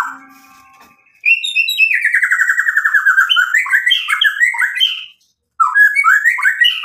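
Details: Energetic White-rumped shama song, used to make rival birds respond: a rising whistle sliding into a long, fast trilling warble that jumps up and down in pitch, then a fresh burst of whistled notes.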